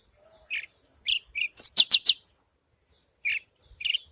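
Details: Javan bush lark, parva form, giving 'suara alasan' base song for luring other birds to sing: short sweet chirps, a rapid run of loud buzzy trill notes in the middle, then more chirps.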